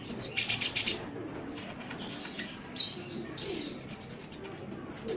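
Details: Sunbird song from a cagebird training recording: a burst of harsh buzzy chatter, a few thin high whistles, then a fast steady trill of sharp high notes lasting about a second, over low background hum.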